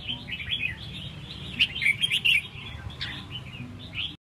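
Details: Red-whiskered bulbul singing a lively run of bright, chirpy, warbled notes, quick and uneven, loudest in the middle, over a low background rumble.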